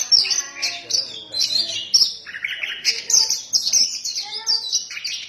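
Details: Oriental magpie-robin in full 'ngefly' song, pouring out high sweet whistles and rapid warbled phrases in quick succession, with fainter lower notes underneath.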